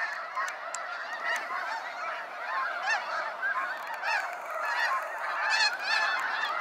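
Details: Snow geese flying out in waves at sunset, Sacramento National Wildlife Refuge: a busy chorus of overlapping honks with distinct sharp yelps and clicks, growing louder toward the end as birds pass closer.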